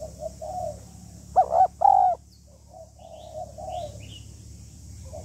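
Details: Female spotted dove uttering calls meant to stimulate a male: a loud, low, stuttering coo phrase ending in a drawn-out note, then faint cooing and a few soft chirps in the background.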